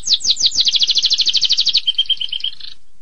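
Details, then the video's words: Canary in sharp 'tembakan pedas' song: loud downward-sweeping notes quicken into an even high trill, then switch to a softer, lower, steady series of clipped notes before fading. "Suara Kenari Tembakan Pedas Durasi Panjang"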